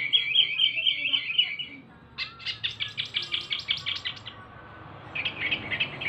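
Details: Small local Javan wambi male sings a high buzzy trill, then after a pause a fast, evenly spaced rattle of sharp clicky notes, ending in another buzzy trill.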